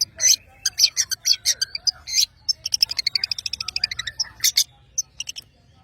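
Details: Vigorous song of a long-tailed shrike from Madura: dense volley of harsh high rasps, then a long rapid series of clipped trilled notes, ending in scattered sharp calls.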